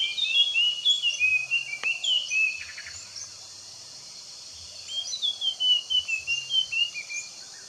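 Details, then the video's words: Puff-throated babbler giving clear whistled phrases of several notes that slide downward, one run in the first two seconds and another from about five to seven seconds, with a short quiet gap between and faint low background noise. "Puff throated babbler棕头幽鹛"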